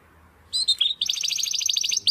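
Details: Belgian canary singing for training chicks and adult canaries: a few slurred notes followed by a rapid, even, high-pitched trill and a closing upslurred whistle.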